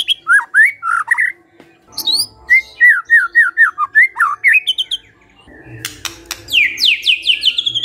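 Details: Caged white-rumped shama in full, energetic song: rapid varied phrases of looping whistled notes, fast trills and downward-sweeping rattles, delivered in quick bursts with brief pauses.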